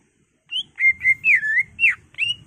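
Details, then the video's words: Greater green leafbird in agitated full song, meant to provoke a caged bird: a flowing chain of clear, wavering whistles, some sliding up and others dropping, delivered almost without a break. "CUCAK IJO GACOR EMOSI BONGKAR ISIAN NGENTROK/ PANCINGAN CUCAK IJO BIAR EMOSI"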